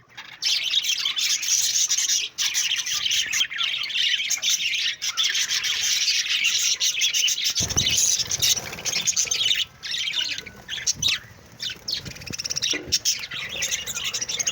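Budgerigars keep up a steady, scratchy warble of high chirps and chattering squawks.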